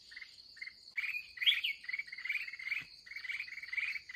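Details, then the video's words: Agitated wild red-whiskered bulbul heard in a late-day trapping session; a run of short chirpy notes with one loud warbled flourish, above a constant shrill background hum. "gặp bổi xung"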